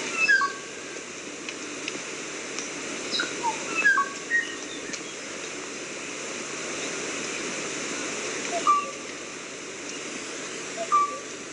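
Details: Kauai ʻōʻō whistling a run of short notes at varied pitches in the opening seconds, then two isolated, lower clear whistles further on, over a noisy background.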